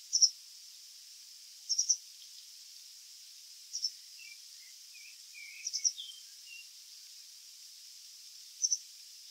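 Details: White wagtail (Motacilla alba) song, a fast, indistinct repetition of its call sounds: short bursts of high, sharp twittering chirps every two seconds or so, with softer lower notes between, over steady high hiss.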